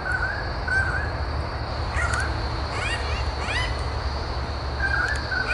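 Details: A pair of currawongs in Royal National Park south of Sydney, Australia, calling noisily to protect their nest from a lace monitor climbing the tree. Harsh calls with rising, ringing sweeps come in bursts over a steady low rumble.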